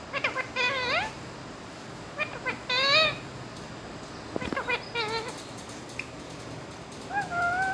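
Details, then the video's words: Talkative ring-necked parakeet speaking Urdu and Hindi words, said to clearly say "mian mitthu"; nasal, harmonic-rich voiced phrases with wavering, slurred pitch, grouped in short bursts over several seconds, with low background hum. "Talkative parrot speaking and clearly saying ( mian mitthu) Urdu and Hindi"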